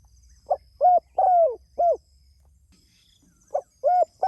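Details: Soft, hollow cooing from a spotted dove calling to others, a phrase of four notes with a drawn-out falling note, followed after a pause by the start of the next phrase.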